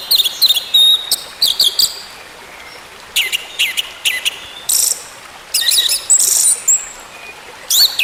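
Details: Orange-headed thrush song for therapy of a bird gone quiet: loud clusters of high, scratchy chirps and rapid note strings, separated by short silences, with a faint steady hiss.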